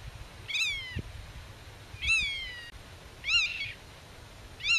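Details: Black-tailed godwit defending its nest and territory against intruders, talking with chicks hidden in the grass: four loud nasal, ringing calls, each sliding downward, spaced roughly every one to one and a half seconds, over quiet low background noise.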